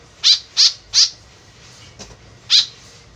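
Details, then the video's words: White-breasted woodswallow calling as a lure sound, giving a quick burst of three rasping notes in under a second, a faint soft note, then one more harsh call after a pause. "BURUNG KEKEP BABI GACOR SUARA JADI PIKATAN . SUARA BURUNG KEKEP MENDEKAT"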